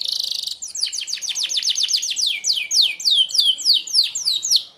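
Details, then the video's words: Merlok canary singing its sharp 'tembakan' song for training other birds: a brief buzzy burst, then a quick run of steep descending whistled notes, slowing toward spaced, swooping slurs. "tembakan tajam kenari merlok, sangat ampuh buat pemasteran burung anda"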